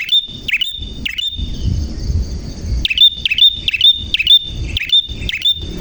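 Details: Prinia singing actively and clearly: three sharp, high chirps, a pause of about a second and a half, then seven quick, evenly spaced chirps.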